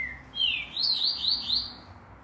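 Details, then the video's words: A green-winged saltator (trinca-ferro) in training at a breeding facility gives a loud, clear whistled phrase, a rising note then several rich warbling notes over about two seconds, with a quiet background. "Trinca Ferro"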